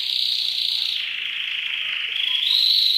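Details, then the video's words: Canary in a masteran song recording: a continuous rolling trill, smooth and buzzy, dipping slightly in pitch midway, then jumping to a brighter, higher trill for the last half second. "Masteran Suara Kenari"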